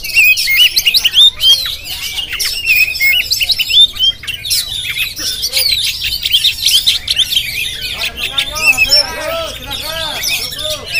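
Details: Jampang Oriental magpie-robin recorded with a GoPro, opening with loud rapid whistled bursts, then shifting into a continuous fast, high chattering warble that runs on to the end.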